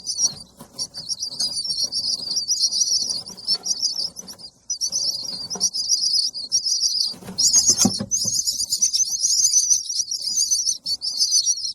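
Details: Young bird calling for food, a long run of high, shrill, buzzy chirps that swell louder in the second half, with brief low rustles and thumps.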